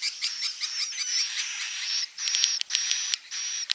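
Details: Swiftlet 'inap' roosting sound: a long run of quick soft chirps merging into sustained high buzzy notes, then three held hissing trills separated by short gaps, with sharp clicks in between.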